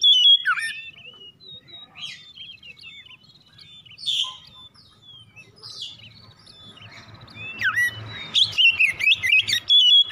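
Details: Oriental magpie-robin (kacer) singing in the morning, used as a lure to spur other birds into fast continuous singing; scattered whistled notes and rising, falling phrases, building into a louder, busy run near the end with a low hum beneath.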